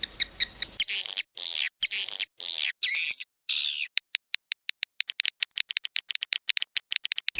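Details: Swiftlet recording from 18 August 2021: long harsh buzzy screeches in bursts, then a rapid scatter of dry clicking ticks speeding up toward the end.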